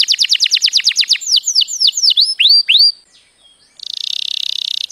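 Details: Canary singing a strong mating song: a fast trill of steep descending whistled sweeps, then slower, wider swooping notes, a short pause, and a high, even, buzzy trill at the end. No other sounds.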